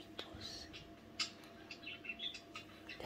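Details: Night-time budgerigar chatter at home: quiet, scattered squeaky chirps and a few brighter whistled notes, irregular and sparse, set against a constant faint mains hum.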